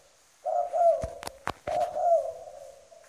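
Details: Spotted dove kept as a trained decoy bird in Vietnam, giving a firm coo: low steady hooting phrases lasting over a second each, broken by several sharp clicks or knocks.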